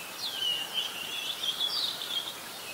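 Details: An adult red-whiskered bulbul in Ubon Ratchathani, Thailand, 16 December 2020, gives a sustained, wavy warble of linked high whistles, falling at the start and rising again later, with continuous hiss.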